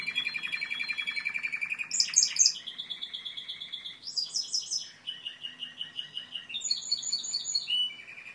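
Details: Timbrado canary song of varied rolled tours: an evenly pulsed low roll, a sudden high metallic burst, then alternating mid and high trills shifting pitch every second or two.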